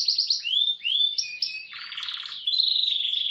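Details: Canary roll and speed training song: short high trills and rising whistles, then a buzzy rattling phrase and a steady quick high trill.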